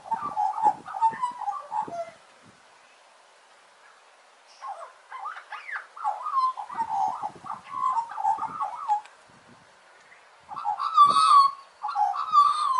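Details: An Australian magpie (Gymnorhina tibicen), a wild backyard bird in Australia, sings rich, gurgling, flute-like phrases in bursts of a few seconds, broken by short pauses. No other sounds intrude.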